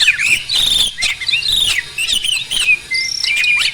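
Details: Breeding-condition mature male Asian pied starling, caged, sings a continuous dense medley of squeaky whistles, rattling trills and harsh chattering notes, ending with a drawn-out thin whistle.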